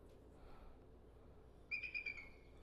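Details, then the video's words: A bald eagle gives a thin, high, slightly stuttering whistled call lasting under a second, after a short stretch of faint room hiss. "That's what an eagle sounds like."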